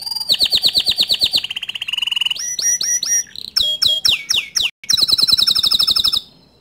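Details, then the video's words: Canary song meant to stir other canaries to sing, with a fast rolling trill, a lower buzzy roll, then sharp descending whistled notes and a bright high trill before a short fade. "Kenari Lain Pasti Emosi Dengar Kicau Kenari Ini Dan Auto Ikut Gacor Dor Juga"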